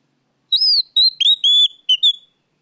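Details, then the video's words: Oriental magpie-robin singing loudly in a lure recording: six or seven crisp whistled notes, an arched opening whistle followed by short level and slurred ones in quick succession, against clean silence. "pancingan Kacer gacor suara keras plong"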